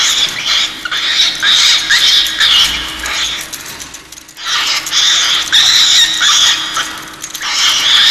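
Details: Cockatiel, a pet, in a wild night-time tantrum of loud, harsh, grating screeches in bursts, breaking off briefly before starting again; the owner notes the bird always answers this recording with tender soft peeps.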